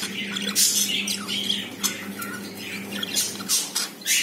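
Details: Caged pet budgies indoors, a pair whose first egg has been laid; dense scratchy squawking mixed with short rising and falling whistled notes, continuous throughout, against a low hum.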